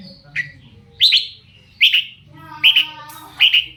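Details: Long-tailed shrike lure sound intended to make other shrikes respond: quick, scratchy, buzzy squawks, some doubled, repeated a little faster than once per second over light background noise.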